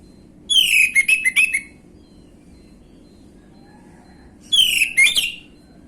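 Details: Orange-headed thrush, used as a lure to provoke a response: two short bursts of loud, high whistled and chattering phrases with bright descending notes, separated by about three seconds of quiet hum.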